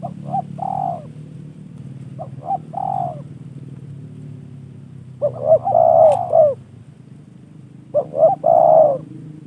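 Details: Trained spotted dove, a gift from a fellow keeper, cooing in spaced bursts; each phrase has two brief notes then a fuller, longer coo, with quiet gaps between and low hum behind.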